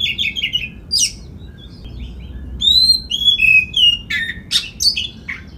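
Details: Oriental magpie-robin in energetic full song, played to provoke other magpie-robins into singing: varied clear whistles, rising and falling slurred notes and harsh buzzy bursts mixed in quick succession, high-pitched throughout over a low steady background hum.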